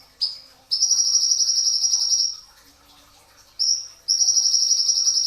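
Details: Pre-dawn training recording of a brown-throated sunbird in dense bursts: one sharp high chirp, then a long buzzy high trill lasting over a second, a pause, another chirp and a second sustained trill.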